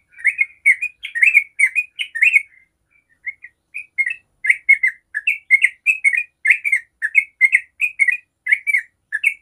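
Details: Long 'ropel' song of a Yellow-vented bulbul, played to prompt other bulbuls to sing: quick gurgling phrases, a short break near the middle, then a steady run of clear, liquid bubbling notes to the end.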